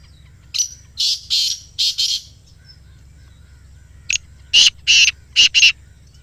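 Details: Black francolin (kala teetar) call, played to captive francolins to get them calling: two harsh, grating phrases of four and five loud rasping notes, separated by a two-second pause, over a faint low hum.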